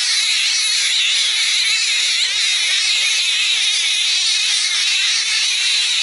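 Jungle babblers in a territorial squabble: a dense, unbroken wall of harsh, squeaky chattering from several birds at once, with no pauses.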